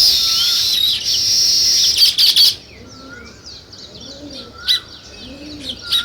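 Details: Weaver birds building a nest give quick, high, scratchy chirps and brief level whistles. A loud hiss fills the first two seconds, and soft low arched notes sound underneath.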